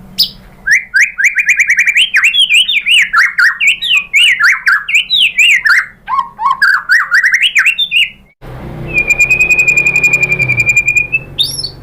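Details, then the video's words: White-rumped shama, a caged bird in Indonesia, singing a provoking song meant to make another shama answer: fast runs of whistled, rising and falling notes, then a long steady whistle with a faint low hum beneath. "pancingan MURAI batu bikin EMOSI NYAUT GACOR BONGKAR MATERI ¦ SHAMA BIRD"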